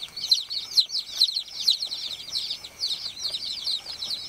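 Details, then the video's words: Farm baby chickens peeping: high, rapid, downward-bending chirps about two per second from several chicks, blending into a continuous shrill chatter. "BABY CHICK CHIRPING SOUND"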